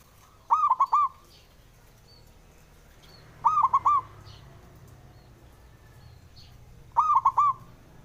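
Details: Male zebra dove of a local strain, calling to prompt quiet birds to sing: a soft, mellow, stuttering coo phrase of several quick rolled notes, repeated about every three and a half seconds over a low background rumble.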